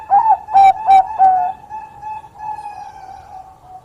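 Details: Bangkok perkutut zebra dove in full song, said to lure rival birds by sound. Four loud, chopped coos open the passage, followed by a fading stream of soft, even, rapidly repeated notes.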